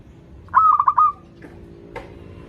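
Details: A single sweet phrase from a local zebra dove in full song, played as a lure for doves learning to sing: several bubbling coo notes merging into a smooth held tone, followed by quiet background sounds.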